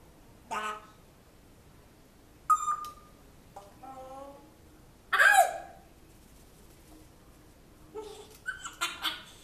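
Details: African grey parrot kept as a pet, said to repeat talk about a dog from its previous home in a man's voice. Irregular short speech-like phrases and a brief whistled tone, spaced by silences, in a small room.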